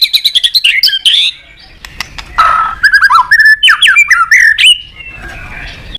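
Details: White-rumped shama calling out to a rival: a quick run of repeated chips, then varied loud whistled and squawky phrases, swooping up and down, with clicks between.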